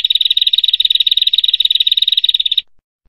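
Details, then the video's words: Prenjak, a prinia, in a masteran training recording: a rapid, even, buzzy trill of high notes, roughly a dozen per second, running for about two and a half seconds before stopping cleanly into silence. "Kicau Burung Prenjak"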